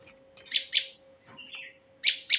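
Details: Male prinia call used to lure birds: sharp, high buzzy chips in pairs, then a short thin whistle and another pair of harsh chips, with a steady faint hum underneath.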